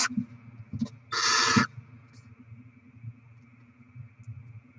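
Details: Barn owl chicks fed with rodents, 7 February 2024: a single long, harsh hissing screech of about half a second after a few short clicks, followed by hum and faint rumbling.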